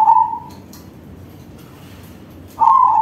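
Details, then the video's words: Zebra dove of crossbred stock singing loudly: a brief rolling coo ending at the start, then quiet, then a new bubbling phrase beginning near the end. "Perkutut crossing manggung suara besar || Suara perkutut crossing"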